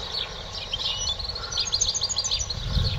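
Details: A European goldfinch trained to a clean song, with a small flaw at the start of the song. It gives quick, high twittering chirps and short trills throughout over a steady low rumble of background noise.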